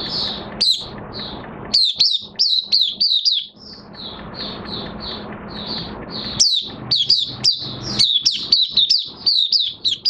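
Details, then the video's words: Singing Oriental white-eye in minor moult, 3 June 2022: bursts of piercing, high downslurred chirps alternate with a calmer stretch of soft, evenly spaced twitters, then a fast closing flurry. "Mata Puteh Kitaro V1 buka sing in minor moult"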